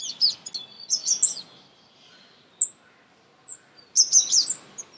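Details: Baby birds being fed at close range give high, thin chirps in short bursts, with a quiet pause in the middle before another rapid cluster of shrill notes.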